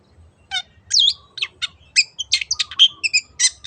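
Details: Long-tailed shrike song used as a lure to get other birds singing: varied sharp chirps, a slurred whistled note and clipped metallic elements, delivered irregularly with short gaps.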